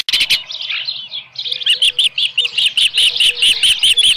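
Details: Osprey calling at the nest, which holds a small live fish, shortly after 7 AM on 13 July 2018. A short whistle burst comes first, then a rapid, evenly spaced run of high, slurred chirps about seven per second.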